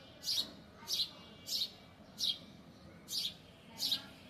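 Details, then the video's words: Bird sitting on a balcony grill and chirping through the day; six sharp high chirps, evenly spaced about every half second to second, with faint low background noise. "This bird sits on the balcony grill and chirps all day"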